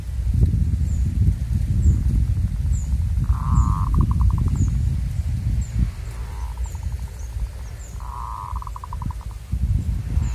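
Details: Local zebra dove in the wild, heard while luring birds: repeated phrases of fast, rattling coo notes tumbling together, with faint high chirps from other birds and constant low background noise.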